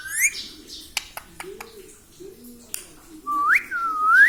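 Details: Household parrot mimicking speech, said to say 'mummy papa'; a rising whistled syllable opens, scattered clicks and taps follow, and two bright swooping syllables close the phrase.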